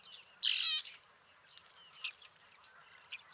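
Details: Bearded reedling in Liepāja, Latvia, in July 2023: one loud, ringing, harmonic call, then a few softer, short notes spaced about a second apart.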